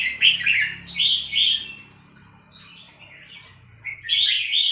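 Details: A female red-whiskered bulbul delivers its three-syllable song, bubbling chirpy phrases at the start, a quieter stretch, then another lively warbled burst, with a low mechanical hum underneath.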